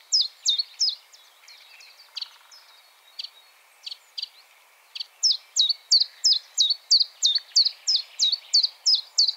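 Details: Common chiffchaff singing: a fast run of short, sharp, downward-sliding notes repeated about three times a second, with a quieter, sparser stretch in the middle before the steady chiff-chaff rhythm resumes strongly.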